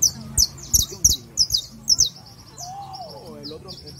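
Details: A kept saffron finch, called a criollo canary, sings a run of short, very high, sharp chirps, about three per second, then pauses. A lower, sliding whistle and faint voice-like sounds follow.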